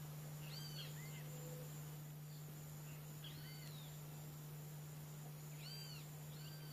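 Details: Brazilian wattled jacana calling in quick clusters of high arched notes, three bursts a couple of seconds apart, against a constant low electrical hum and background hiss.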